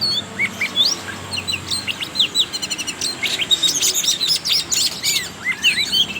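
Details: Oriental magpie-robin song, a lure to prompt young birds to sing: quick bursts of chirps, buzzy rattles and rising whistles in a busy, varied flow over background hiss.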